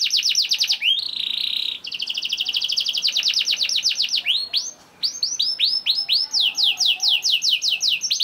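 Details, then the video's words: ['Canary lure song for prompting other canaries: an energetic roll of fast repeated chirps, a buzzy trill, long rapid rattling series, then spaced downward-swept notes continuing steadily.'] "KENARI GACOR DOR NGEDUR NGOTOT CUIT CUIT NGEROL AMPUH PANCINGAN KENARI PAUD"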